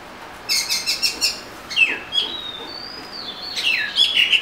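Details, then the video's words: Oriental magpie-robin song: a run of about six quick repeated chirps, then a long thin whistled note sliding upward, ending in rapid warbled notes. "Murai Kampung/ Magpie Robin"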